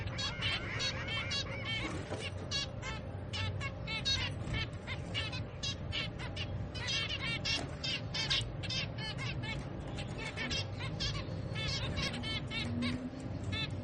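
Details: Pet zebra finch baby being fed, giving dense, rapid, harsh chirps repeated several times a second without pause, with a steady low hum underneath throughout.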